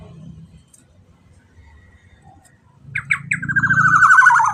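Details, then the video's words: Black-naped oriole lure call used to get other orioles singing. A low humming background fills the first seconds, then three sharp notes lead into a loud, buzzy, rapidly pulsed rasp that falls slightly in pitch, with the hum continuing beneath. "Suara Pikat POWER KEPODANG Emas AGAR Ikut BUNYI dijamin nyaut KICAUAN KEPODANG EMAS"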